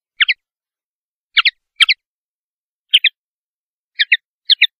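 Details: Male common linnet seeking a perch to sing from: sparse pairs of twangy, slightly buzzy notes, about one pair per second, irregularly spaced over a quiet background.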